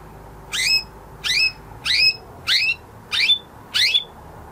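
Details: Canary after its moult, six separate sharp rising chirps spaced roughly every three quarters of a second.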